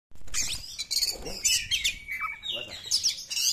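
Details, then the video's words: Wild Oriental magpie-robin song, played to coax silent or stressed caged birds into singing: rapid high scratchy phrases with clear whistled notes and sliding whistles, a steady level tone near the middle, faint low background sounds. "suara KACER ALAM"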